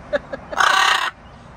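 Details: A pet macaw sits outdoors on a summer evening while wild birds, including finches, doves, robins and a cardinal, sing their pre-bedtime chorus. It gives two short clipped notes, then one loud, harsh, raspy half-second squawk, an alert at a big crow flying nearby.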